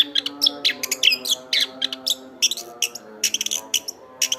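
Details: Singing Chestnut-backed thrush (anis kembang) used as master song: dense string of crisp high chips and whistles in quick succession with little pause, over faint sustained low tones.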